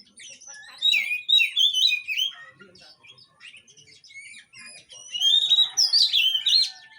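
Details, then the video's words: Oriental magpie-robin song played to prompt a stalled bird into singing: varied clear whistles, slurred rising and falling phrases and scratchy chatter, with a loud burst of bright whistled notes near the end. "Panggilan untuk burung Kacer yg mandek"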